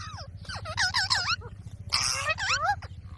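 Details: Green parrot mimicking speech with the word "Mummy": chains of curving, harmonic syllables that rise and fall, then a harsher noisy burst and a final upward swoop, above a constant low hum.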